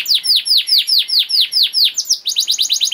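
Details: Canary singing as a master recording for training young birds: steady series of loud, down-slurred whistled notes about five per second, shifting into a quicker, higher run of chirps at the end.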